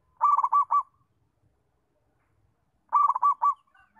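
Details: Local Indonesian zebra dove song, offered as training material for other doves learning to sing: two short bursts of rapid, rolling staccato coos at a mid pitch, each lasting about half a second and about two and a half seconds apart, against a quiet background.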